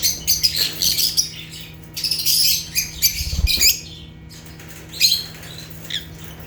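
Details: African lovebirds (Agapornis) chattering: dense runs of shrill, scratchy chirps in quick bursts, a pause near the fourth second, then sparser squeaks, with a faint low hum and a soft thump.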